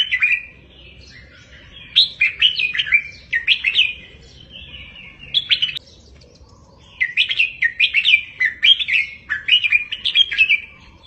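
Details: Caged red-whiskered bulbul, recorded as a tutor song for caged birds to copy, in the double 3-4-5 style. Loud, bubbly, warbled phrases of quick up-and-down whistled notes come in three bursts separated by short pauses. The background is quiet.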